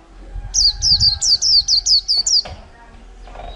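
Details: Wild-caught white-eye kept caged for just over a month, giving chẹo là líu song: a quick run of about nine bright, high, downslurred notes in under two seconds, then a short pause.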